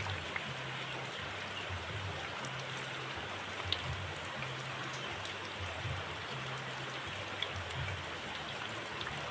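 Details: Continuous rain-like hiss with a faint low hum and occasional soft ticks; no animal voice.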